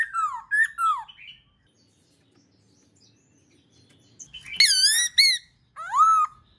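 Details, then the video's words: Black-throated laughingthrush song used to get other birds singing: two falling whistled notes, a long pause, then loud wavering harmonic whistles and a final rising-falling note. "Khướu bạc má kích bổi hót múa dễ dàng"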